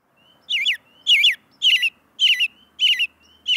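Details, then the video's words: American robin giving six harsh, buzzy chirps about every half second, each opening with a thin high whistle and then dropping in a rough squeaky twist; quiet background. "How does Robin Bird Sound | Call American Robin | American Robin Voice | Turdus migratorius chirping"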